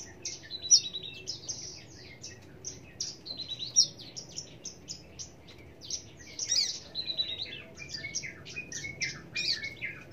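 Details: Australasian bushlark delivering an extended high warbling song, rapid chirps and buzzy twitters strung together in uneven bursts, loudest notes near the start and middle, faint low background noise.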